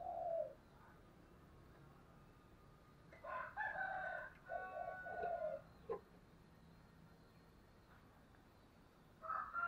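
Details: Decoy spotted dove giving the driving "thúc" call used to provoke wild doves: a short low coo at the start, then a run of rolling, throaty coos in the middle, and another coo at the end, with quiet gaps between.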